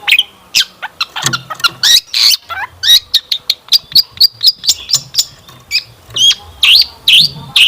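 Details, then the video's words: Energetic long-tailed shrike song with rich fill-in phrases, a lure to prompt kept shrikes to sing; short sharp notes repeated about twice per second, mixing squeaks and slurred upward whistles. "Kicauan Cendet Memukau! Pancingan Cendet Gacor Full Isian Mewah"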